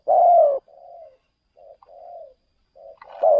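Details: Spotted dove used for luring wild doves: one long loud mellow coo, then quieter softer coos, and a strong coo returning at the end.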